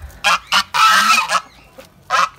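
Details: Farm ducks, females and one suspected male, give harsh, nasal quacks: two short bursts, a longer drawn-out rasping call, then another brief quack after a pause.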